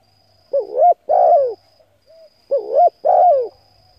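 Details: Spotted dove calls played to rouse decoy birds: two phrases two seconds apart, each a bouncing short note then a drawn-out descending coo, a tiny soft note between them, thin high hum throughout.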